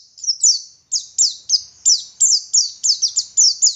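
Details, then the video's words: Dakun Oriental white-eye from Garut, West Java, in continuous ngalas song: a steady stream of high, thin whistles, each sliding downward, repeated several times a second with little pause. "Burung Pleci Gacor Ngalas Wit Wit Sambung Ngeriwik Full Isian"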